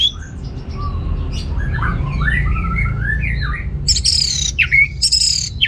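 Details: Singing orange-headed thrush, used to stir males lacking breeding drive: soft, twisting warbled notes at first, then loud, sharp high phrases in quick succession near the end, over low steady background noise.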